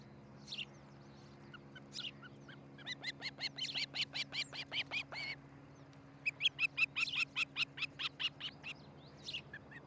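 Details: Osprey at a nest in Charlo, Montana, morning of July 13, 2018; two long bursts of loud, high, shrill repeated yelping whistles, rapid and slightly uneven, with scattered single chirps between and a steady low hum underneath.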